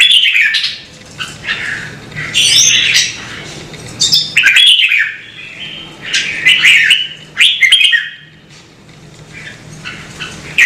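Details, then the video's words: Singing red-whiskered bulbul in a recording meant to prompt other birds to sing: loud, lively bursts of chirped and whistled notes every second or two, some squawk-like, separated by short quiet gaps, with a soft low background hum. "CHÀO MÀO | Kích chim nhạy hót - Thúc chim hót hay căng lửa"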